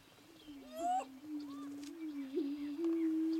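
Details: Greater prairie-chicken booming during its mating dance display: a low, steady, hollow moaning hum, with a brief rising whistle and soft chatter over it early on.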